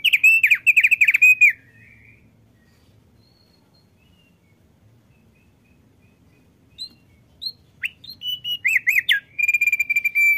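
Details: A diligently singing male thick-billed white-eye gives rapid, high twittering phrases with rolling warbled notes, broken by a quiet pause before sharper chips and another fast trill.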